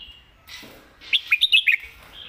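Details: Competition Red-whiskered bulbul delivering its thick-voiced 'master song': a quick burst of five loud, clear, bouncing whistles after a soft rustle, ending in a quieter drawn-out whistle.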